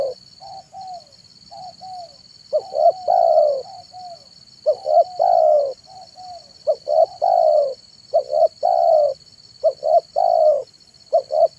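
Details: Spotted dove (tekukur) cooing in the afternoon as a decoy for wild doves: soft hesitant notes at first, then a busy series of short hoots and longer coos in quick succession, over a steady high tone.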